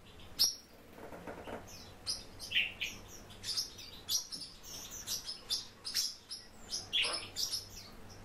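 Warbling white-eye giving a run of thin, high chirps and twittering notes, several each second, with a few lower buzzy sounds between them.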